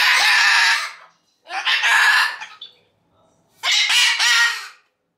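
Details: Pet umbrella cockatoo making a racket because it wants to play: three loud, harsh, raspy screams, each about a second long, separated by brief silences.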